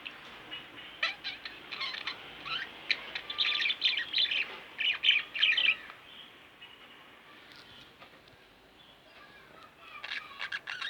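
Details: Pet budgerigars, a pair kept at home, give scattered chirps and chattering warble in clusters, busiest in the middle, fading to quiet before a final burst of clicks and chirps.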